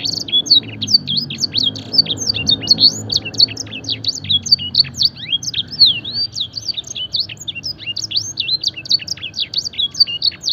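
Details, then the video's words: Fancy canary trained on blackthroat and edel sanger songs, singing a long, continuous run of rapid high chirps, downslurred whistles and short trilled bursts. A low hum sits faintly underneath. "masteran suara burung kenari full isian mewah blackthroat dan sanger gacor"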